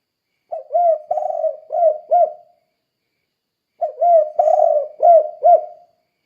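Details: Spotted dove in the 'kuk 2' song style, meant to prompt other doves to sing. Two phrases of four soft, hollow coos, a long burry middle note followed by two short rounded ones, with quiet gaps between.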